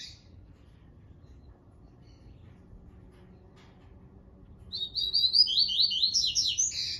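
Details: Seconds of near-silence with a faint low hum, then a double-collared seedeater launches a Tui Tui phrase of fast, high, slurred chirps falling in steps and ending on a rising whistle.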